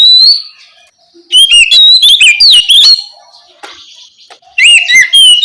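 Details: Oriental magpie-robin giving ngeplong song at night as a lure for young spotted magpie-robins; a high whistle, then a dense cascade of swooping, overlapping whistled notes, a pause, and another bright burst.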